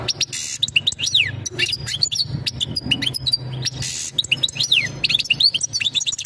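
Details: A European goldfinch delivers its breeding-season mating calls toward a female: quick tinkling twitters, sharp downward-slurred notes and short buzzy bursts, steadily continuing over a soft low humming background.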